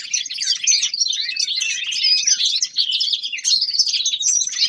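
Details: Young male common linnet in winter giving a continuous twittering song, dense rapid chirps and short trills packed high and unbroken, with a faint low hum beneath.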